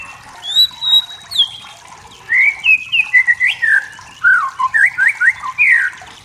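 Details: White-rumped shama, a wild forest bird singing to stir rivals, opens with a long high whistle, then bursts into quick varied whistles and zigzag slurs in a lively rhythm.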